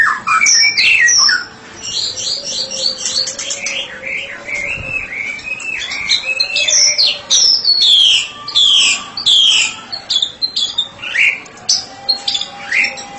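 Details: White-rumped shama singing ngeplong, noted as a therapy specialist: continuous rich song mixing sweet whistles, rapid chirps and buzzy trills, with phrases tumbling quickly one after another and brief dips in loudness.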